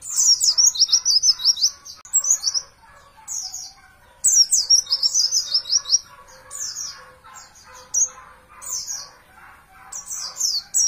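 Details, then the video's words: Oriental white-eye, a champion bird recorded as a master track for training caged birds, delivers dense trills of high, thin, downward-sliding notes in repeated bursts, alternating with quieter stretches of lower chattering. "masteran pleci juara"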